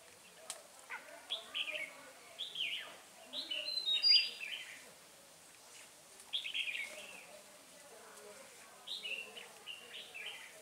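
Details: Red-whiskered bulbul singing during a decoy trapping session on 9 March 2020, the wild bird noted as restless; clear, well-spaced phrases of two or three bright falling whistled notes, repeated with pauses between.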